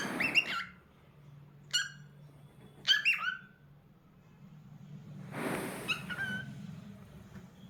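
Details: Indoor pet cockatiel giving a run of sharp harmonic squawks and whistled notes with falling tails, about five calls spaced irregularly, followed by a burst of hissing noise and a softer call, over low room hum.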